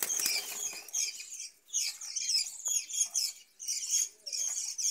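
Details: Budgerigars kept in a breeding cage, with a brief flutter of wings at the start, then steady high twittering and raspy chatter in phrases broken by two short pauses.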